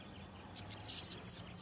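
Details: Bananaquit, Costa Branca song style, giving a rapid series of six high, piercing notes, each sliding steeply downward, evenly spaced about a fifth of a second apart, with nothing else audible.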